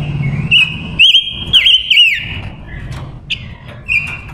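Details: Female silver-eared mesia used as a decoy for wild males sings a loud stretch of level whistled tone broken by three quick looping trills, then a few short separate whistles, with a low hum beneath.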